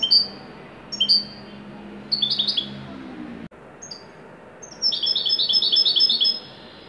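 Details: Moroccan Wydani goldfinch singing at top form; sharp high chirps and a short twittering phrase, a brief pause, then a long rapid run of bright liquid twittering notes.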